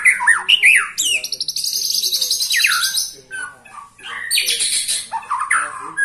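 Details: White-rumped shama, a 21-year-old bird still singing with fierce style, delivering a rich varied song of sweeping whistles, rising slurs and dense buzzy high trills in quick succession with short pauses.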